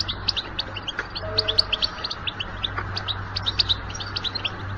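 A European goldfinch gives a fast, tinkling twitter of short, bright notes, several each second, over a steady low hum.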